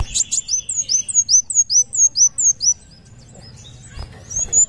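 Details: Kolibri wulung sunbird singing a rapid series of piercing high down-slurred whistles, then falling quiet before a final thin rising note, faint low rumble beneath.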